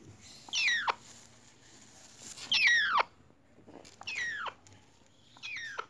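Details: Congo African grey parrot chicks, red factor, four months old, giving four drawn-out harsh calls about 1.5 seconds apart, each sliding steeply downward with strong harmonics, over faint background noise.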